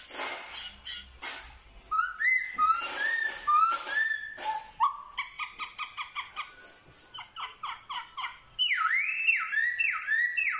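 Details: Black-throated laughingthrush in Vietnam, recorded 15/10/2021, singing in imitation of dogs, cats and chickens: sharp clicks, rising whistled slurs, a rapid run of short harsh notes, then loud descending whistles repeated about every second.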